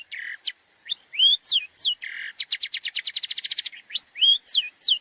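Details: Long-tailed shrike song used as training material for other songbirds, full of varied mimicked phrases: buzzy low notes, swooping whistles falling from high to mid pitch, then a fast rattling run of clicks that speeds up before more swooping whistles.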